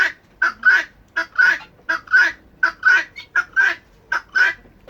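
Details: Urban-kept helmeted guineafowl chattering in harsh, grating two-part calls at a steady pace; owner says this is the loudest they normally get, as their separate alarm call is much louder.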